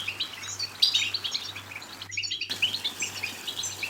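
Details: European goldfinch song played to stimulate goldfinches to sing: fast, twittering high chirps and trills, densely packed and bright, with a brief silent cut midway and a steady low hum underneath.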